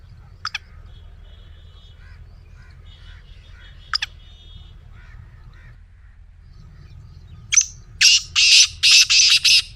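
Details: Black francolin, played to make a pet francolin start calling: after quiet sharp clicks and faint notes, a loud run of harsh, grating, buzzy bursts closes the recording in quick succession.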